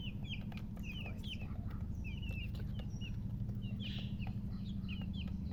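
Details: Just-born chicks giving scattered high chirps, short down-slurred peeps spaced irregularly, over constant low-pitched background noise.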